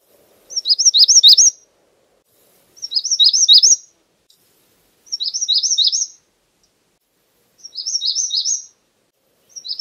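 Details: Magnolia warbler singing a series of short, high, tumbling whistled phrases, five in total, evenly spaced about two seconds apart, with slight soft noise early on.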